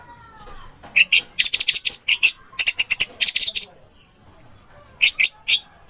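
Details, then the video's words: Orange-headed thrush in a masteran recording, delivering clustered bursts of bright, high chirps and trilled notes in short rapid groups, separated by brief pauses, with a last pair of notes after a longer gap. "MP 3 MASTERAN ANIS MERAH"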